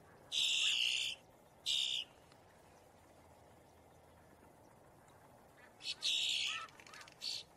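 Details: Boat-tailed grackle giving distress or alarm warning calls: loud, harsh, rasping bursts, a long one and a short one, then a pause of several seconds before a cluster of three more grating bursts.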